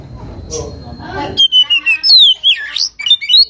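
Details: Oriental magpie-robin (kacer) in full song, used as a lure to provoke a rival into singing: after a stretch of voices and music, a run of loud, sharp whistled notes sliding up and down.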